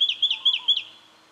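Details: Brown treecreeper in Victoria, Australia, October 2011, uttering four quick, sharp, ringing high notes, each slightly downslurred, in under one second.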